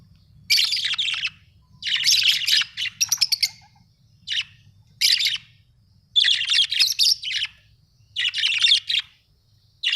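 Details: Budgerigars kept at home as pet parrots, chattering in bursts of bright, scratchy chirps and warbles, some with quick rattling notes, separated by short pauses, with a faint low hum underneath.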